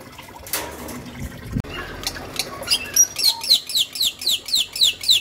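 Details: Bali myna, male and female, giving a rapid series of bright, down-slurred whistled notes, about four per second, after some scattered clicks and squawks.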